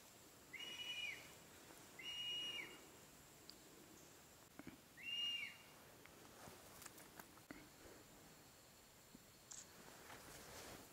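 A Black-collared Hawk gives three high, drawn-out whistles, each ending in a slurred downward note, spaced a few seconds apart over faint ticking background noise.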